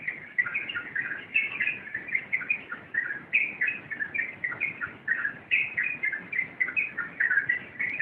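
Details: Sooty-headed bulbul giving a rompelan song, a long run of quick bubbly warbled notes around the mid range, delivered in dense bursts with short gaps, continuous and lively throughout.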